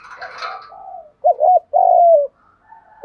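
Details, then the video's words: A spotted dove lure call for attracting other doves: after a soft blurred opening, one clear phrase of a quavering double coo then a long, level, slightly falling coo. "tiếng chim cu gáy kích bổi nhanh nổi rất hiệu quả/ tiếng chim cu gáy mồi gáy giọng hay nhất"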